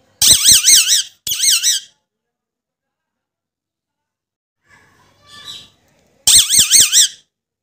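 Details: Alexandrine parakeet, described as a talking parrot, producing loud squeaky warbling bursts with a wavering, siren-like pitch. Two bursts at the start are followed by a faint murmur and a third burst near the end, in a quiet room.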